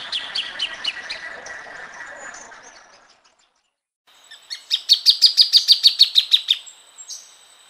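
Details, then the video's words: Two bursts from a plain thornbird: first a fading chatter, then after a short pause a loud, accelerating series of crisp repeated notes that trails off. "Kicauan Burung Plain Thornbird"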